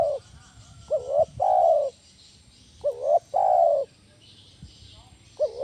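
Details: Spotted dove giving a loud 'kuk 1' style coo used as a lure to train other doves: a short, hitched double note followed by a long, steady low coo, each phrase repeated about every two seconds against faint background hiss.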